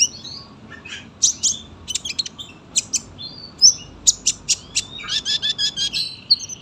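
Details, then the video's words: Lively sunbird in long, dense song for tutoring young birds: scratchy high twitters and sharp chips, building into a fast run of rhythmic clicks near the end. "KOLIBRI GACOR PANJANG SUARA RAPET"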